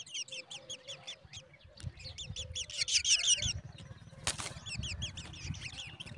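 Black drongo chicks give rapid, high, scratchy begging chirps, about three per second, rising to a busy chorus, with a sharp knock and low rumbling behind.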